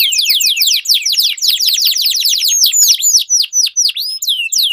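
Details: Canary duel with long rolling phrases, played as a training lure for competition birds: rapid downswept whistles in a tight run, then looser, spaced curling notes toward the end.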